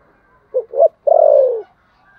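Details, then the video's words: Spotted dove fighting coo in the Vietnamese thổ sấm gù style, one phrase of two quick rising hoots and a prolonged, softly falling final coo. "thổ sấm gù/ Cu gù đấu"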